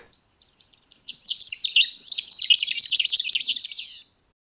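A Fawn-colored Lark gives a few thin, spaced high notes that quicken into a rapid, jumbled twittering flourish lasting about three seconds.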